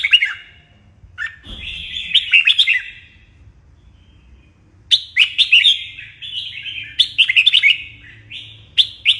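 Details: During morning song training a red-whiskered bulbul gives fast, bright whistled phrases, first a short burst, then a long pause, then a string of repeated lively phrases, with soft low background noise.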